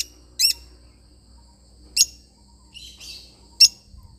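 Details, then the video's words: Lovebird parrot with three loud, high, piercing chirps spaced more than a second apart, and a soft scratchy twitter between them; low background hum. "love bird singing sound"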